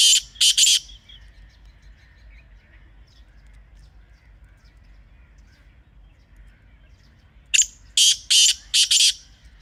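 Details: Wild black francolin, known locally as kala teetar, recorded outdoors: two harsh, grating call phrases about seven seconds apart, each a rapid series of rasping notes, with faint distant chirps between.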